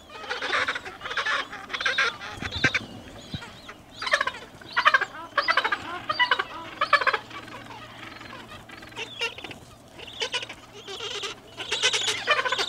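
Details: Gentoo penguins at Orne Harbor give rhythmic, raspy braying bursts, each a quick series of pulses, repeated every second or so amid overlapping colony calls, with a low steady hum underneath.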